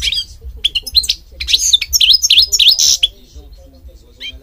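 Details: European goldfinch giving a series of sharp, swooping chirps with a buzzy note among them, tapering off into near silence over a faint low hum.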